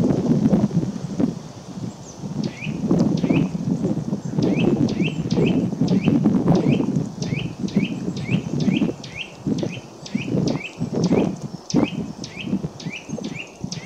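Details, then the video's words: Eurasian nuthatch giving a long series of short whistled notes, each sliding up then down, repeated rapidly and at times sped into trills, after a rustling, rumbly stretch at the start with low background noise throughout. "Kowalik głos"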